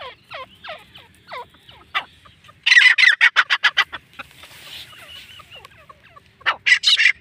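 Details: Grey francolin, called gora teetar locally, giving a run of loud harsh notes repeated about six times a second in a burst mid-clip, with softer scattered calls before and a final harsh burst near the end.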